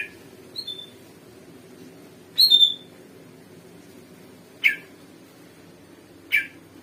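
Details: Sumatran leafbird after bathing, giving short bright chirps and a high clear whistled note with quick buzzy bursts, spaced by pauses of one to two seconds, over a low steady background hum.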